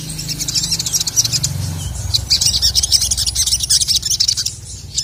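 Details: Male crested jay singing to rouse rivals: a dense, continuous stream of high, scratchy twittering notes with no gaps, over a low background hum.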